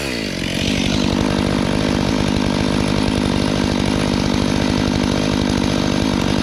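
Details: A loud running chainsaw drones steadily beside a river road, drowning out everything else with no animal calls.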